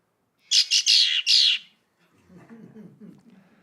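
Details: A female Red-winged Blackbird gives its aggressive territorial song against other females: four harsh, buzzy, high chattering notes in quick succession, then a person starts speaking.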